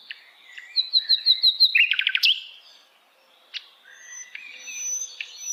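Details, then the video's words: Song of a hill blue flycatcher in wild forest: a row of repeated high whistled notes runs into a quick descending stutter, followed after a pause by softer scattered whistles. "kicauan Sikatan Londo Dialam Hutan Liar"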